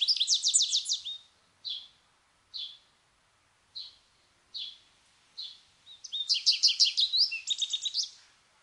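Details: American goldfinch song: a rapid buzzy trill, then short twittered notes spaced about a second apart, ending in a loud, fast jumble of bright trilled phrases; no background noise.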